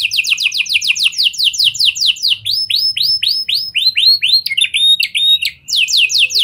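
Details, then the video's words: Canary in a lure recording to prompt other canaries into long singing, performing a song with lovebird and prinia-style phrases: rapid, loud rolls of high downward-sliding notes, changing speed and note shape every second or two, ending in sharper metallic sweeps. "Kenari Gacor Cengkok Lovebird & Prenjak! Ampuh Buat Pancingan Kenari Lain Agar Gacor Panjang"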